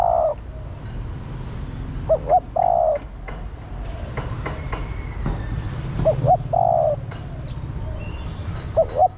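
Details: Female spotted dove calling the male and prompting a decoy bird to coo all day. Three soft, low coo phrases are spread through the recording, each a short double note and then a longer wavering note. Faint clicks and a low background hum.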